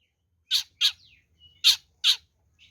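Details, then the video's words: An oriental magpie-robin in a fighting bout, used as a lure for rivals: four harsh, rasping chak-like bursts in two pairs, with a faint thin whistle trailing between them. "SUARA BURUNG kacer gacor NGEPLONG TARUNG ini paling AMPUH buat PANCINGAN kacer NYAUT EMOSI"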